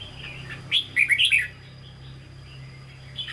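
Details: Caged red-whiskered bulbul of true Hue voice style singing 'ché': one short burst of bright warbled notes, rapidly rising and falling, lasting under a second, with a faint steady low hum beneath.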